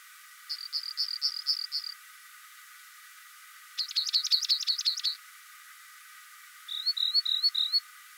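A rock wren gives three bright, high phrases, each a rapid run of five to seven identical notes, and the note type changes with every phrase.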